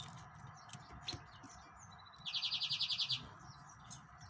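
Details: Yellow-fronted canary delivering a quick, even trill of about nine high, ringing notes in under a second. A faint background hum and soft clicks surround it.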